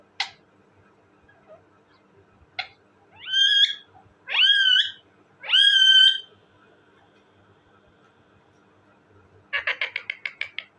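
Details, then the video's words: A talking parrot makes a couple of sharp clicks, then three loud rising and level harmonic calls in quick succession, and ends with a fast run of evenly spaced chattering pulses. "talking parrot bird,parrot ki awazz"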